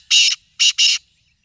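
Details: Black francolin (kala teetar) calling: a harsh, grating note, a short pause, then two rasping notes in quick succession, all loud and clear against a silent background.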